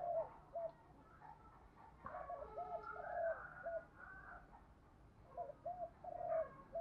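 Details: A spotted dove used as a decoy to draw in wild doves, repeating short groups of low, hollow coo notes, partly overlapped by a rooster's crowing in the middle.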